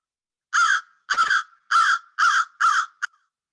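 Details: American crow (Corvus brachyrhynchos) in spring in Peterborough, Ontario, giving its most common call: five harsh, nasal caws about half a second apart, then a short clipped note.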